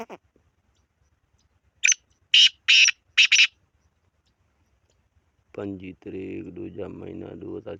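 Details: Black francolin giving a loud series of four harsh, buzzy notes, the first short and the rest longer and evenly spaced, after which a human voice and music-like tones take over.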